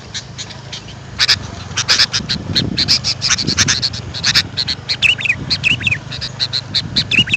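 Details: Sooty-headed bulbul calls played to lure wild birds: a busy, scratchy chatter that builds after a quiet start, then clear wavy whistled notes rising and falling toward the end.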